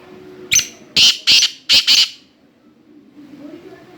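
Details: Black francolin calling in the morning: five loud, harsh, grating notes in a quick burst over about a second and a half, the last two close together, then near silence with faint background murmur.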